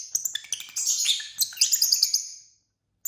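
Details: Pet lovebirds chirping at dinner time, a continuous run of rapid, shrill twittering notes that rise and fall, then quick repeated sharp peeps before falling silent, ending with a single short chirp.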